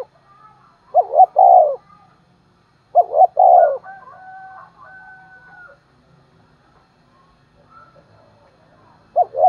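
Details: Morning lure calling by a decoy spotted dove to attract wild doves. Three-part coos of two short notes and a long one repeat every two seconds or so. A faint, thin, drawn-out call from another bird sounds between the phrases.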